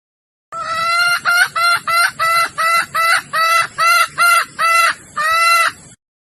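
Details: Female red junglefowl from Sumatra, in breeding condition, calling to attract males and used as a hunting lure. About eleven loud nasal harmonic clucks in an evenly paced series, the final note longer, clean background.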